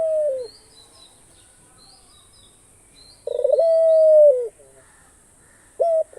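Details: Australian dove kept as a pet: a short tonal note, then a long steady coo that bends downward at its end, followed by a brief clipped note, over a faint high steady hiss.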